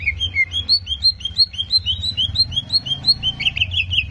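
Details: Rhythmic greater green leafbird song used to provoke aggression: bright whistled notes repeat about three per second, rising and dipping slightly in pitch, ending with a few buzzier notes.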